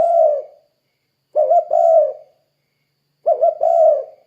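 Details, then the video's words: Spotted dove in active voice as a lure to get derkuku doves calling: repeated low phrases, each a quick double note followed by a longer, fading coo, about every two seconds. "Suara Burung Tekukur Gacor Kuk 2 Untuk Pancingan Derkuku Biar Cepat Bunyi"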